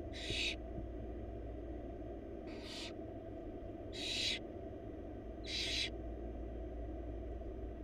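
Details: Wild barn owl chicks, four in a nest box, hiss-begging as their mother brings a big rabbit; four grating broadband snores, gaps of one to two seconds, over steady low-frequency hum.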